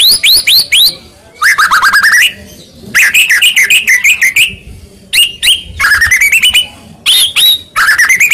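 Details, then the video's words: White-rumped shama, murai Medan type, in a fighting lure song to make shamas answer: rapid series of rising whistles and buzzy trilled bursts, loud and energetic, broken by brief silences. "Pancingan Tarung Murai Medan Gacor AMPUH Buat Murai Apapun Seketika Langsung Nyaut"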